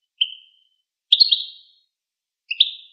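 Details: Goldfinch giving a short chirp, then two brief, buzzy-edged twittering phrases, high-pitched and clear in a quiet setting.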